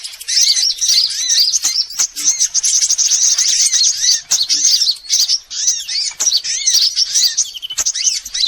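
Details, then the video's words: Sunbird lure recording used by bird trappers to attract all kinds of sunbirds: dense, overlapping high-pitched chirps and twittering trills in a continuous stream, with short downward-sweeping notes and brief pauses. "Suara pikat semua jenis burung kolibri"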